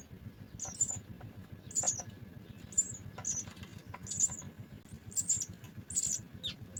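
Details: House sparrow chicks begging at the nest while being fed, sharp high cheeps in pairs and singles about once a second, with faint clicks and quiet low hum.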